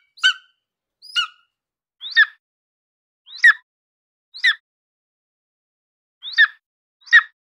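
A golden eagle gives seven short, thin, yelping notes at roughly one-second intervals, with a brief pause before the last two. Nothing else is heard.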